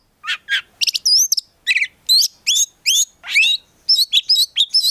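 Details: Prospect Oriental magpie-robin singing a richly varied song: clear separated notes, some buzzy and descending, others sweet rising and falling whistles, about two notes per second in an uneven rhythm.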